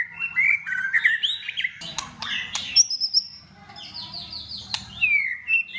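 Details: A white-rumped shama, roused to sing in contest during the cold season, delivers varied phrases: quick slurred notes and sharp clicks, then a long, thin, high whistle and a few falling whistled notes with short pauses between them.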